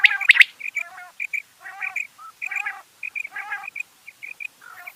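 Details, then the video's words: Rain quail calling: short nasal, harmonic bursts alternating with pairs of brief high clipped notes, loose irregular rhythm, two loud sharp notes at the start, otherwise quiet background. "Rain Quail Sounds bedana sayrashi bedana ovozi Batair Ki Awaz بٹیر چنکہ کی آواز"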